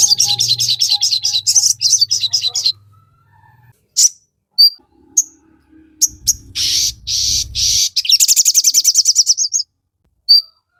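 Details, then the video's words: Crimson sunbird song used for training caged birds: fast runs of high, squeaky repeated notes, a gap with a few isolated chips, then a harsh buzzy burst over low rumbling noise and another quick high trill. "Pancingan sogon gacor full ngoceh"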